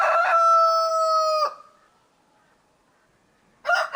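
A rooster gives a loud, harsh crow held on a steady pitch for about a second and a half, then falls silent before another crow begins.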